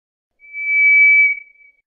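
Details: Song of the White's thrush, one pure drawn-out whistle at a constant high pitch that rises smoothly in volume, holds, then trails off; a quiet setting otherwise.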